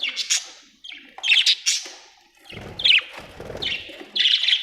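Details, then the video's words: Budgerigar chirping: bright, scratchy chirps and squeaky warbled notes in short bursts separated by brief pauses, ending in a longer run of chatter, with a soft low rumble of background noise midway. "budgie chirping sound"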